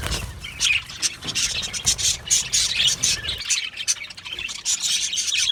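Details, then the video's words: A colony of Australian budgies kept in an aviary: a continuous jumble of bright, raspy chirps and short whistled squeaks from many birds, with a low rumble under the first half. "Budgie birds chirping sounds"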